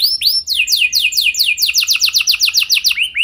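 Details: Canary lure song: a quick sequence of bright descending slurred notes, repeated about five times a second, closing with two upward swoops.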